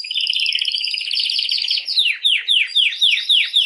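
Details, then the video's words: Canary singing to stimulate females for mating: a fast rapid trill of high notes, then a series of loud downward-sweeping whistles repeated about three times a second. "تغريد كناري"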